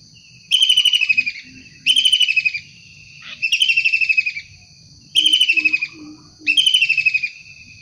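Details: Wild long-tailed shrike calling five times in quick succession, each a short grating, pulsed rasp under a second long, with faint softer chirps from another bird in between.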